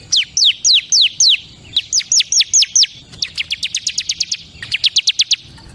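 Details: Bar-winged prinia of the kristal song type: phrases of sharp descending chips, the first slower, the later ones speeding into rapid, even trills of high ticking notes with short pauses between phrases.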